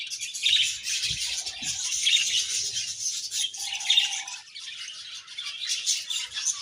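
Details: A group of budgies keeps up constant scratchy chirping, with a held warbled note near the middle and a couple of soft low knocks early on.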